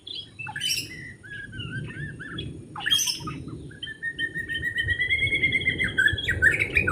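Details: White-rumped shama singing wild in forest while birds are being trapped: short whistled phrases and a few harsh bursts, then a long sustained whistled note that slowly rises, with steady low background rumble throughout.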